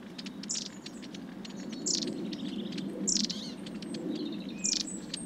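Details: Winter flock of long-tailed tits at a suet feeder at Saltersford Locks, Cheshire, 2012/13; thin, very high see-see notes and short buzzy trilled calls from several birds over a steady low rumble, with sharp clicks.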